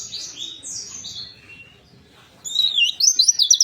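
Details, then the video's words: Warbling white-eye song meant to coax a silent bird to sing: a few soft, distant high whistles, a brief quiet gap, then a sudden loud burst of rapid, shrill twittering. "Pleci Ini Sangat Ampuh Untuk Pancingan Pleci Macet Bunyi"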